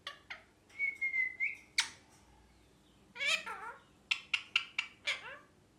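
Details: Pet ringneck parakeet indoors giving a long level whistle, then bursts of harsh, rasping chirps and a quick series of five sharp, clipped calls in a small room.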